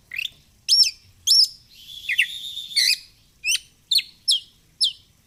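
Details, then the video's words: Kept oriental magpie-robin in fighter style, flaring its feathers. Paired loud whistled notes, a harsh buzzy passage, then a steady run of sharp upslurred chirps about every half second. "Kacer gacor fighter//ngobra Joss//terapi untuk Kacer susah bunyi"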